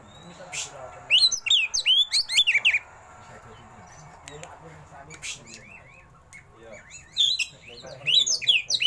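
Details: Oriental magpie-robin singing a rolling, ornate song full of mimicry: quick trills of sharp sweeping whistles in bursts, a few isolated clicks and softer notes between, ending in another rapid flurry.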